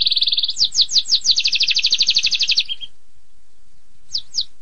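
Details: Canary singing in 'tembakan pedas' style: a quick trill followed by five downslurred whistles, a sustained fast rolling trill ending abruptly, silence, then two sharp descending notes.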